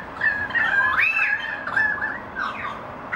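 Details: Family of currawongs in song: a continuous run of mellow, wavering whistled notes with upward swoops and gurgling flourishes, ending in a few shorter descending phrases.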